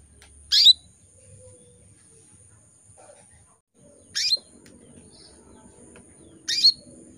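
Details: A breeding female canary gives three brief bright chirps that drop quickly in pitch, spaced about two to four seconds apart, calling males; light background rustle and a faint hum.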